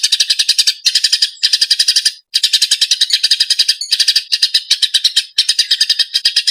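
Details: Eurasian tree sparrow, said to be agitated, recorded as training song for birds: bursts of rapid, harsh, buzzy chirps lasting about a second each, separated by short silences.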